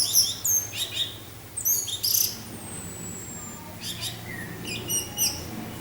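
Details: Orange-headed thrush in 'teler' song style with added wind sound: sharp high whistles and chattering notes in clusters, a long thin whistle sliding down in the middle, then more rapid high notes, with a low steady hum beneath.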